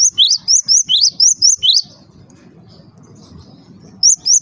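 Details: Java sparrow call meant to provoke other Java sparrows into calling: a quick run of about nine shrill, bent chirps in two seconds, then a quiet stretch with soft low murmuring, before a few more chirps return.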